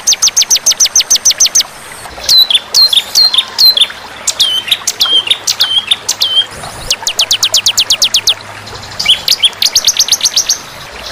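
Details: White-rumped shama training recording for song contests, mixed with fighter birds: rapid runs of high sharp notes, then loud downslurred notes with hooked tails about every half second, ending in fast bright trills; no other sounds.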